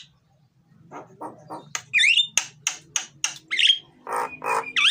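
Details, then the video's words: Myna (jalak) in loud song, played to encourage reluctant mynas: a soft low rasp, then harsh broadband bursts with short upward-hooked whistles and repeated clicks. "suara jalak gacor,isian dan keras, cocok buat pancingan jalak yang malas bunyi"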